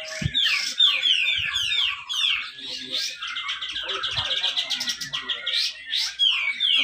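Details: Cucak jenggot, or grey-cheeked bulbul, at a North Kalimantan contest in Malinau, giving tight besetan song to prompt lazy birds: rapid run of descending whistles and buzzy trills, a few dull knocks early on.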